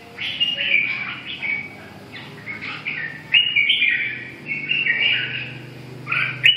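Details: Red-whiskered bulbul with a chattering, warbling song of clipped phrases over a low, steady hum. A sharp click sounds near the end.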